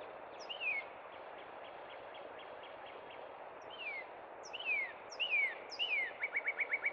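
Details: Singing northern cardinal at Cub Run in spring: one slurred whistle and a faint run of notes, then four loud downward-sliding whistles leading into a quick repeated trill, with constant broadband hiss behind.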